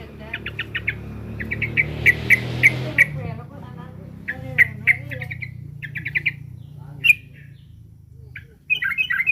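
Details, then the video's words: Threatened sooty-headed bulbul delivering several bursts of quick, buzzy repeated notes separated by short pauses, ending with a sharper squawky burst; low background hum throughout. "Suara burung trucukan lagi ter4ncam"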